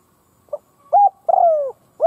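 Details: Spotted dove kept as a decoy, calling to lure and provoke rival doves; a faint introductory note followed by deep hooting coos, one drawn out and falling in pitch, ending on a rounded coo.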